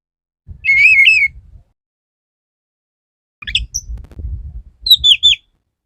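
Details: Male Oriental magpie-robin courting a female: two loud whistled phrases, one wavering near mid-high pitch, the other descending slurred notes after a pause, with low rumbling handling noise beneath.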